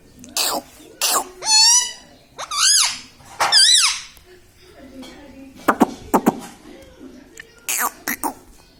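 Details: Talking pet parrot, said to speak words such as "mithu" and "mummy papa": three wavering, strongly harmonic calls early on, then quieter clicks, taps and short sharp bursts in a small room.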